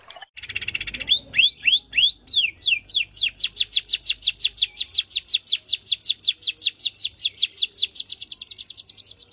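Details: White-rumped shama in full varied song, used to stir up other birds: after a short buzzy start, loud rising whistled sweeps repeat in a fast steady series, nearly three per second, for the rest of the stretch.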